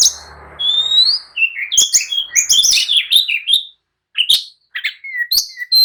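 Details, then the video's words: Agitated oriental magpie-robin singing to provoke rivals to answer and fight, a long rising whistle over a low hum, then quick whistled and scratchy notes with brief pauses. "kicau kacer gacor emosi! jadikan kacer loyo langsung nyaut dan tarung emosi"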